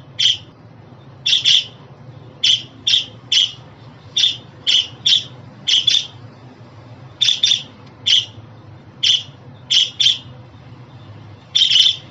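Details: Domestic budgerigar calling: a steady run of about twenty short, harsh chirps, often in pairs, spread evenly through twelve seconds with a faint low hum.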